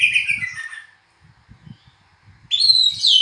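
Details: Kacer, the oriental magpie-robin, gives a descending whistled phrase, falls silent for over a second amid soft low tapping, then resumes with a high sliding whistle.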